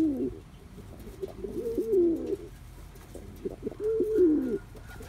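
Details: Young male Cuban Pouter pigeon practising his courtship dance, giving two rolling, warbled coos that rise and fall in a low register, separated by a quiet pause, with faint background rustling.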